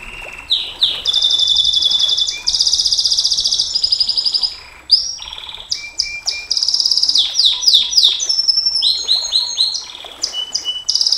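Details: A long canary song used for training and enticing other canaries: rolling high trills and rapid chattering phrases following one another with barely a break, changing pitch between sections.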